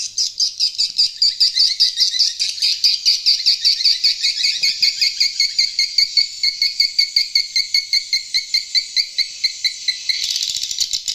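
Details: Edible-nest swiftlet lure call, an old unedited stereo recording played through an amplifier and tweeters to draw swiftlets into new swiftlet houses: a fast, steady train of high clicky twitters, several per second, continuing throughout.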